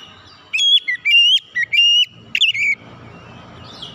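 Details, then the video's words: Oriental magpie-robin song used as a lure to get reluctant birds singing quickly: loud, clear whistled phrases with sharp up-and-down notes, several bursts over two seconds, then quiet with a faint distant chirp. "kicauan Kacer pemikat | KACER bahan susah bunyi cepat gacor"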